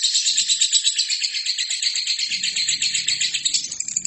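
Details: Lovebird in full song, a recording used as training for other birds: dense, harsh, high chattering trill delivered in rapid pulses of about three per second without pause, with a faint low hum joining in the second half.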